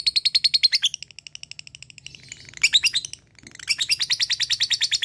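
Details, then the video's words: Fighter lovebird in full ngekek, calling out a rival; long runs of fast, harsh, evenly pulsed chattering notes, broken by a short gap, then resuming at the same rapid rate. "Cik cikk weeeeerrr...lovebird fighter gacor ngekek memanggil l4w4n"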